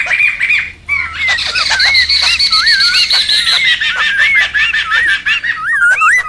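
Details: Noisy wild laughingthrushes, a lure and tutor sound: looping whistled notes sound over a thick bed of rasping chatter, with louder rising whistles near the end.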